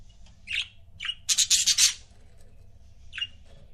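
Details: Pet budgerigar pair chirping: a few short sharp chirps, then a rapid burst of five or six buzzy, scratchy notes, followed by a single chirp, over a low steady background hum.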